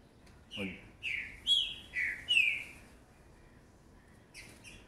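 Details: Green-winged saltator, a 2019 youngster, delivers about five loud slurred whistles, alternating lower and higher, each slightly falling, followed by softer distant notes.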